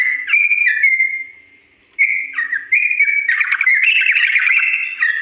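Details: Yellow-vented bulbul in a long, slow-toned ropel song used to teach other birds to imitate: clear whistled notes stepping up and down, a two-second pause, then denser, buzzier chattering phrases.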